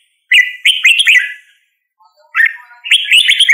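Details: Red-whiskered bulbul song: a burst of rich, warbling whistled notes, a pause with faint soft chips, then another lively bubbling phrase.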